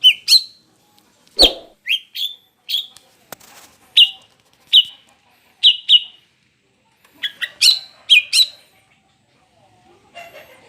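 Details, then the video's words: Female Greater green leafbird in breeding condition, calling to lure males: sharp downward-sliding chirps, singly and in pairs about every second, with a faster cluster near the end. "Suara ampuh C.Ijo BETINA birahi untuk pancingan CUCAK IJO Jantan"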